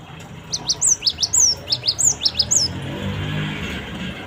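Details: Cinereous tit (gelatik batu) used as a lure recording for training birds: a quick series of about a dozen high, sharp two-part chirps, each a rising note followed by a descending slur, over faint low background hum.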